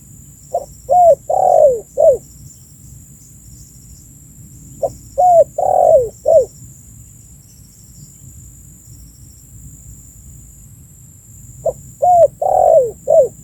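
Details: Spotted dove giving its calling phrase, suitable as a lure for birds: three repeats of a four-note hollow cooing pattern, each with a short lead-in note, a long sagging middle coo and a falling end note, spaced by several seconds of quiet, with steady faint high hum.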